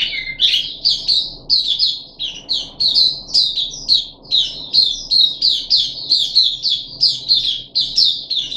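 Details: Caged puff-backed bulbul recorded 14 July 2021 while being dewormed pours out clear, rhythmic high chirps in regular pulses, roughly two each second, over a quiet electrical hum.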